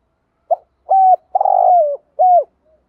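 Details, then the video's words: Decoy spotted dove cooing to rouse a caged male into cooing: a brief opening note, then three mellow coos, the middle one longer and pulsing, the last sliding down in pitch, in a quiet setting. "cu cườm gáy gọi bổi nghe nhanh gáy"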